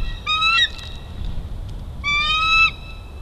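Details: Bald eagle at Big Bear Valley, 12-5-22, as a juvenile steals food: two drawn-out, high whistled squealing calls, each about half a second long, separated by a pause, over a low rumbling background.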